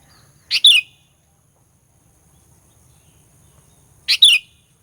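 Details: Lure song of a sooty-headed bulbul, played to rouse rival birds: two loud, rich, bubbling double-note phrases about three and a half seconds apart, with silence between.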